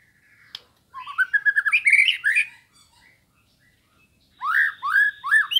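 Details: Sambo white-rumped shama singing eagerly as training material to provoke rival birds: a click, then a fast jumble of warbles and chirps. After a silent gap come loud, clear, descending whistled phrases.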